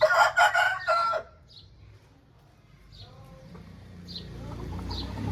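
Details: Aseel rooster giving one loud, harsh crow of about a second, rich in harmonics, followed by near silence with a few faint high chirps from small birds.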